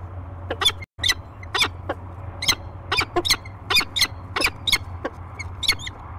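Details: Peregrine falcons, a pair meeting in the nest box at Great Spirit Bluff on 15 March 2023: a rapid series of short, harsh chipping call notes, roughly two to three per second, over a steady low hum.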